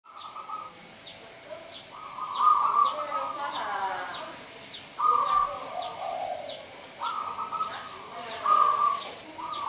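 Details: Local zebra dove singing actively, its cooing heard as sustained, level mid-pitched phrases of about a second each, recurring every two to three seconds, with faint high chirps from other birds scattered throughout.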